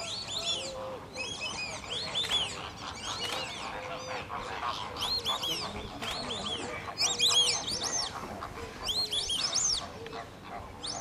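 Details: Repeated bursts of high, thin, up-and-down whistles from white-faced whistling ducks at WWT Slimbridge, roughly every two seconds, with quieter lower calls from other waterfowl underneath.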